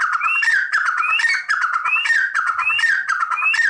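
A red partridge gives loud, harsh, chattering calls with a rising squeaky note, repeated rapidly about every second without a break.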